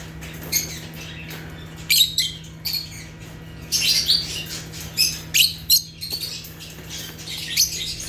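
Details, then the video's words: Natural chirping of African lovebirds (Agapornis): dense, high, buzzy squeaks and twittering chirps in rapid clusters, busiest toward the middle, over a low steady hum. "Rare African Lovebirds (Agapornis) | Natural Chirping Sounds"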